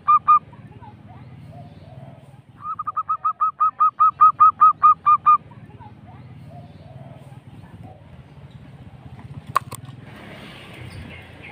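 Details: Local zebra dove giving its ngerrol lure song meant to make other doves respond: a single coo, then a run of about twelve bright, even notes, followed by a long stretch of low background hum and a sharp click.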